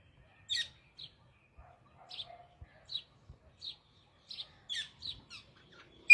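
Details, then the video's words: Parrot singing: a loose series of short, high chirps and twittering notes, spaced irregularly about every half second, with a brief low murmur partway through. "parrot singing"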